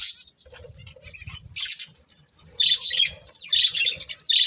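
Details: Budgerigars, a breeding pair: bursts of bright, scratchy chirping and warbling, several short phrases separated by brief pauses, with faint low rumble beneath.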